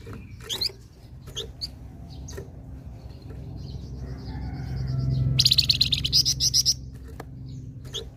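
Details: Flamboyan singing actively to lure other birds. A burst of rapid, high, chattering trills repeats for over a second amid scattered chirps and a low steady hum.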